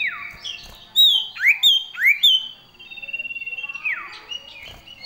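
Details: Common iora (cipoh) singing vigorously in full variation with sirtu-style fills: clear high whistles, sharp descending slurs near 1 and 2 seconds, then a long steady whistled note and a rapid even trill.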